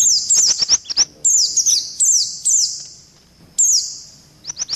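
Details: Indian white-eye lure call, edited into a combined mix with other birds: short bursts of very high, thin chirps and quick descending whistled slurs, grouped in tight phrases separated by brief pauses.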